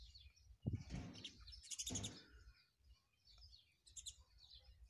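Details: Village sparrows chirping: two dense, noisy bursts of high twittering notes followed by softer scattered tweets, heard outdoors against low background rumble.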